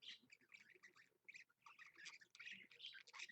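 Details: Pet budgerigar captured on a live stream at 7 AM on Monday, 16 February 2015. It gives a dense run of scratchy, buzzy chirps and squeaks with barely a pause, chattering fast and unevenly.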